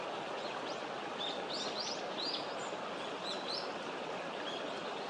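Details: Hawfinch calling from a small flock high in distant branches, recorded 19 November 2022; a male calls as a female comes beside him. Faint, sharp upward-flicking notes repeat irregularly over steady hiss, possibly running water.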